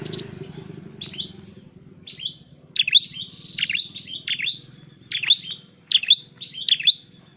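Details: Dark-necked tailorbird, recorded during training and trapping, repeating piercing high chirps, softer at first and then louder, roughly every 0.6 seconds over a low droning background.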